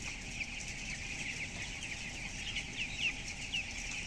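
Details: Broiler chicks, 12 days old and weighing 423 grams, in a closed-house barn holding 7,000 birds; a dense chorus of high, thin peeps with a few sharper chirps standing out, over a steady low mechanical hum.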